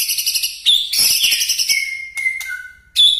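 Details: White-rumped shama singing loudly: rapid high harsh chattering bursts interspersed with clear sustained whistles, one long steady whistled note followed by a lower one, then another sharp burst.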